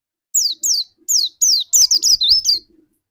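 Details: Lure white-eye song meant to set off another white-eye: a short run of high, piercing down-slurred whistles, spaced then quickening into a tumbling twittery phrase, with faint low knocks underneath.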